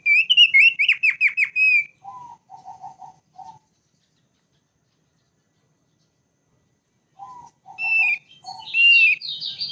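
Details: Thick-billed white-eye, endemic to Sumbawa and Flores, sings a loud burst of high whistled notes with sharp downward flicks for two seconds, then soft lower rapid chattering notes, a long silence, and a renewed mix of low and high phrases.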